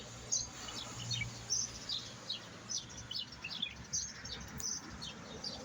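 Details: Thin, high chirping and twittering from a singing European goldfinch, notes coming in uneven quick series over a constant low hum.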